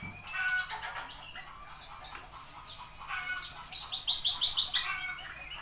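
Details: Javan bushlark song from 24 September, ten o'clock: scratchy mid-pitched chatter and a few upslurred whistles, building to a dense burst of rapid, ringing repeated high notes near the end.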